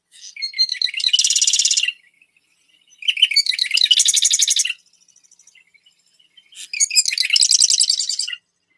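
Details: Marsh Wren (formerly Long-billed Marsh Wren), a bird of wet areas. Its song is a few sharp introductory notes, then a rapid, buzzy, gurgling rattle, repeated about every three seconds.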